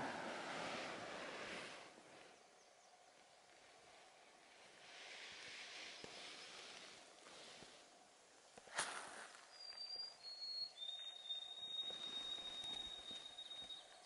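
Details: White-throated Sparrow on a crisp morning camp on the Angleworm Trail, northern Minnesota, gives a pure, high whistle, then a long, steady, slightly lower held note. Rustling and faint outdoor noise run underneath, with a sharp knock just before.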